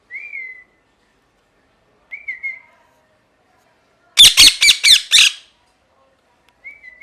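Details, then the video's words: Angry pet parrot indoors: a soft, slightly rising whistled note repeated every two seconds, broken by a loud burst of four harsh, grating screams in quick succession. "Parrot Chirping Sounds | Natural Parrot Sounds | Parrot Calling Sounds"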